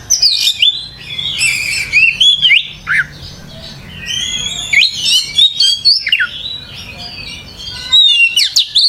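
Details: Oriental magpie-robin in full gacor song: loud phrases of rich whistles, buzzy trills and steep downward slurs, separated by short pauses, with a faint background hiss.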